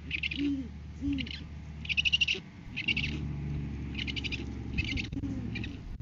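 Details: Deep hoots from a great horned owl in courting season, filmed on a live cam while the male delivers food to the female; two low hoots open the recording, followed by bursts of higher rustling or clicking noise and a steady hum.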